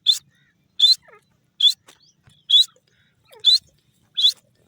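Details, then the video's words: Grey francolin, the desi teetar, giving a series of six loud, shrill, piercing high notes spaced just under a second apart, somewhat uneven in timing, with soft lower chirps and faint rustling between calls. "dasi Teetar bird sound,irani desi teetar ki awaz"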